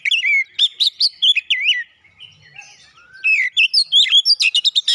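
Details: Magpie-robin (kacer) singing loudly, described as a lure song for a silent bird: bursts of rapid, varied whistled and chattering notes, a brief quieter pause, then another run of sharp repeated notes.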